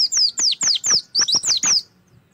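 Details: Oriental white-eye song used to get a cage bird singing: eight loud, clear whistled notes, each sweeping down from very high, delivered in quick succession over two seconds.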